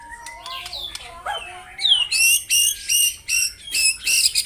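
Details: Captive white-rumped shama singing in the morning to provoke rivals. Faint, varied phrases at first, then loud, sharp notes repeated in quick bursts, about two a second, high and ringing.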